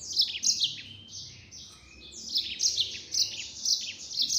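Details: Yellow-fronted canary in full-speed 'nembak' singing, a continuous string of high, buzzy trilled notes with short downward slurs, nearly unbroken for four seconds.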